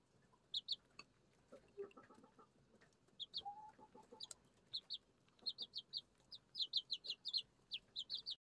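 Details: Araucana and Leghorn chicks, six kept at home, eating and drinking; sharp high peeps in quick pairs and runs, growing denser toward the end, with some lower chirps and taps midway.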